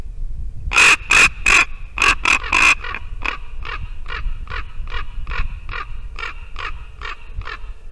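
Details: Ravens calling to a white-tailed eagle sitting on her nest in Latvia, 2 December 2019, morning: a burst of loud harsh croaks gives way to a long, evenly spaced series of softer rasping notes.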